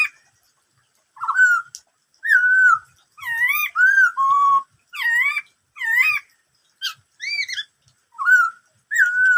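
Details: Black-throated laughingthrush giving its 'bắt cô trói cột' song of many varied sounds: a lively run of short, rich whistled notes, some rising then falling, some wavering, in quick succession with brief pauses and no other sounds.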